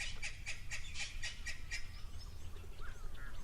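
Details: Natal spurfowl at an African waterhole on a crisp, hot mid-May winter day make a racket: a harsh, rapid cackle of about seven grating notes, four a second, over a low rumble, then faint thin bird notes.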